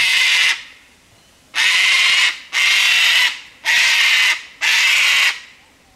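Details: Cockatoo in the bush screeching loudly at a person's presence: five harsh, raspy, broadband screams, each lasting about half a second to a second, separated by short pauses, loud and evenly spaced.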